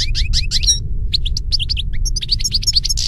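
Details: European goldfinch singing in nature: rapid bright twittering notes and tinkling trills, with short pauses between bursts, over a low rumble of background noise.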